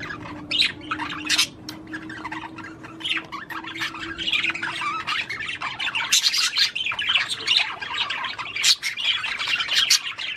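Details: Budgerigar warbling to stimulate the female to mate, a dense run of scratchy chirps, clicks and squeaky notes, with a steady low hum in the first half.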